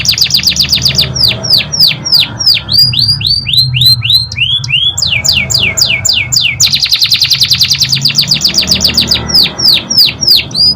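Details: Canary singing a long master song for training other birds, fast repeated downward-sweeping whistled notes in rapid trills, shifting between quick rattling runs and slower sweeping notes, with low background hum.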